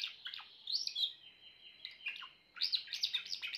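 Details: Grey Timbrado canary singing: bright warbled phrases at high pitch, a steady held whistle-like trill in the middle, then a burst of rapid rising and falling notes.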